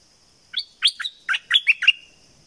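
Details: Bulbul song in the southern Thai style called sai boen, from southern Thailand: a quick burst of about eight rich, fluty, slurred notes over two seconds, some rising, some falling, over a steady high-pitched hum.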